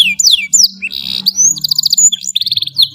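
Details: Short burst of canary tutor song for young birds: descending whistles, a buzzy trill, then quick repeated chirp notes, over a soft low hum.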